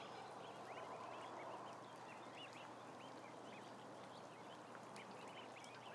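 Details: Many ducklings kept in a barn, heard as a dense chorus of short, rising, chirpy peeps overlapping constantly over a steady background hum.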